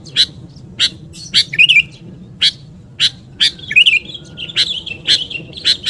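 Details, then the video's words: Luring call of a sooty-headed bulbul: evenly spaced sharp chips roughly every half second, with two bubbly warbled flourishes and a wavering whistled run toward the end. "SUARA PIKAT BURUNG KUTILANG GACOR"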